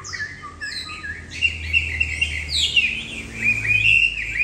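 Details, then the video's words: Tame, bob-tailed caged Chinese Hwamei singing a varied, rich run of high notes: short whistles and trills with quick shifts in pitch that grow denser and louder midway. A low hum sits in the background. "Họa mi mông cộc hót tốt rễ chơi, thuần đét"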